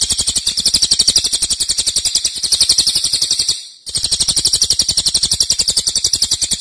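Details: Long, loud trilling of a cililin used as a master song for songbird training: a high, rapid run of sharp repeated notes, broken once by a short gap, then resuming at the same pace.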